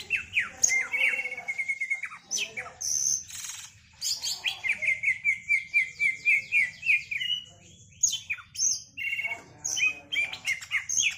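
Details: Female greater green leafbird singing a dense, varied song: clusters of sharp chips and trills, a long run of rapidly repeated whistled notes in the middle, then renewed mixed phrases, with a faint low hum behind.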